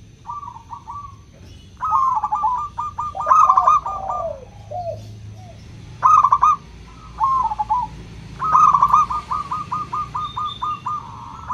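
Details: Local zebra dove singing in the clear 'crystal' style, meant to prompt reluctant doves to sing: several rapid, rattling coo phrases with short pauses between them, the last running into a long even series of notes, with softer cooing behind.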